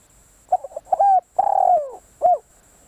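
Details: Decoy spotted dove calling to lure others, giving a short series of soft low coos, one long drawn-out descending coo, then a final brief coo, over a steady high electronic whine.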